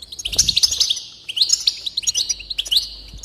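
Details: Goldfinch singing fast, liquid twitters and tinkling trills in two dense bursts, with a brief quieter gap between them. The recording is meant to encourage other goldfinches to sing.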